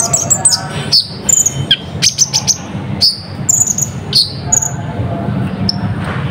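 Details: Olive-backed sunbird from Natuna, a lure song packed with imitations to excite other birds: rapid high, thin chirps and sharp falling whistles in clusters, fading toward the end over a low background hum.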